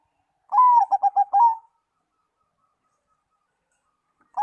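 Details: Zebra dove whose song is said to make other doves answer at once and sing eagerly: one drawn-out, slightly falling cooing note, then four quick staccato coos in a mid pitch. The phrase comes once, then a new phrase starts at the end.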